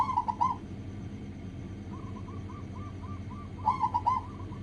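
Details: Local zebra dove singing, recorded as a lure to get other doves calling: soft rolled coos open and close the recording, with a fainter, evenly spaced series of mellow notes between, over a constant low rumble.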